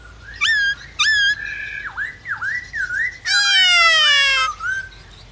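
A White-browed Laughingthrush gives loud, harsh squawks, then a run of clear whistled notes that swoop down and up, and ends with a long buzzy, rasping phrase.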